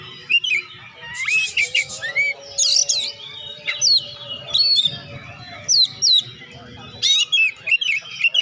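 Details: Oriental magpie-robin in lively song used to stimulate quiet birds to sing, mixing rising whistles, rapid chirps and harsh rasping bursts, over a constant faint low hum.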